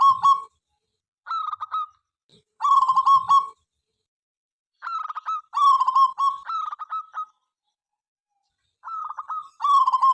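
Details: Local zebra dove, a loud, persistent singer active morning, noon and night whose calling prompts rivals to join in. Clusters of quick, throaty pulsed coos arrive in uneven bursts, with a few faint low thumps between phrases.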